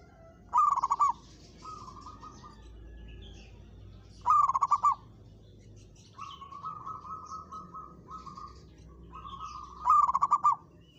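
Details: Caged local zebra dove answering and challenging a rival: loud stuttered rolling coos recurring about every four to five seconds, with softer level coo phrases between them.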